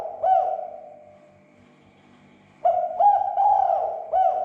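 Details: Lure cooing of a spotted dove to provoke others into calling: a short mellow phrase, a quiet gap of about two seconds, then a longer run of three or four throaty, looping coos.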